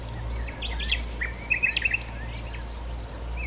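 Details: A Common nightingale (Luscinia megarhynchos megarhynchos) sings in Sithonia, Chalkidiki, Greece, on 10 May 2020: a varied run of high whistles, slurred sweeps and a quick burst of four sharp repeated notes, over a steady low hum.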